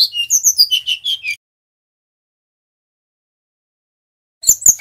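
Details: Male brown-chested jungle flycatcher from Bali, singing in a continuous, energetic roll of varied phrases: about 1.3 seconds of rapid, high chirps and short whistles, then silence, then another burst of sharp notes.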